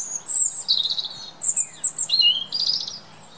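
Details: Singing robin redbreast, a UK garden bird: clear high whistles and shimmering warbles in quick succession, some notes sliding down, others rapid and trilled, fairly loud over a low faint hum.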